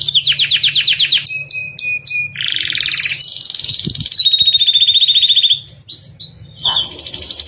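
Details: Captive canary's ornate rolling song, meant for training other birds: rapid trills alternate with clear sustained whistles and clipped notes, changing phrase every second or so, with a brief pause near the end.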